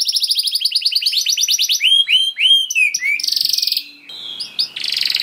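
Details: Canary in sustained 'gacor' song, recorded as a lure for other canaries: a fast rattling trill, then slurred looping whistles, a harsh buzzy burst, a short pause and more buzzing.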